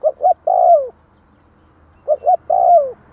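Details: Spotted dove song aimed at luring wild doves: two clear phrases about two seconds apart, each with twin quick notes leading into a long, mellow, downward-sliding coo. Quiet background.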